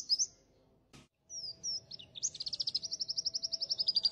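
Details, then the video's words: Caged G12/G16 class white-eye used as master song material: brief high whistles, a click, then slurred descending whistles building into an accelerating series of rapid high chattering notes over a faint low hum. "Masteran Pleci Kusus G12 & G16 materi menonjol"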